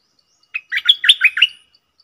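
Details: Decoy red-whiskered bulbul giving one short phrase of five or six lively, chirpy whistled notes that rise and fall. The phrase begins after a pause and ends cleanly in silence.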